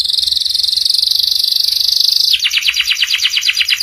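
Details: Canary singing a master song for young birds to copy, ngeriwik style: a fast, even high buzzing trill that switches into a quicker series of descending chirps.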